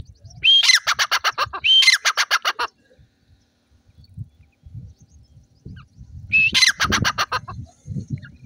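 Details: Two close bouts of a francolin's pulsed call, a whistle then rapid grating notes, then a pause with low rumbling background noise before another bout starts.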